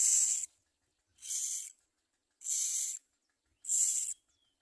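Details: Common myna, a bird feeding its young with lots of found food; four loud breathy hissing blasts follow each other about every second and a quarter.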